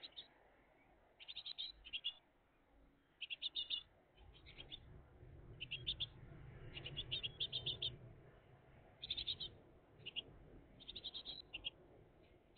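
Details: Great tit family at the nest, June 2023 morning: clusters of high, buzzy chirps about every second or two, over a steady broad rushing background noise.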